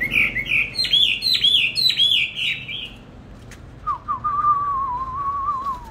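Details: Kept songbird in a cage, bought 19 May 2020, fed steadily and singing in any setting at any time. Several quick, high, slurred phrases repeat for three seconds, then after a pause a long lower whistled note wavers and slowly falls.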